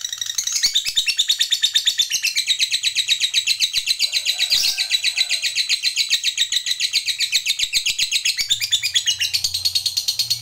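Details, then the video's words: Lovebird fighter in long chattering song, known as ngekek panjang, used to provoke rivals: dense, continuous high buzzy chatter of rapid pulses, unbroken for ten seconds, with a brief lower whistle near the middle. "Suara Lovebird ini Paling Bagus Buat Pancingan Lawan EMOSI Ngekek Panjang"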